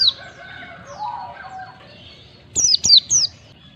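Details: Caged white-eye (pleci) prompt for ngalas singing: softer mixed bird notes at first, then three loud, high, thin chirps sliding downward in quick succession.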